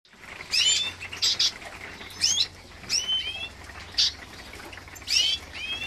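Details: Green siskin × canary hybrid heard during a 2023 nest check: sharp, high chirped calls with upward and downward sweeps, about six bursts over six seconds at uneven intervals, over a faint low hum and light rustling.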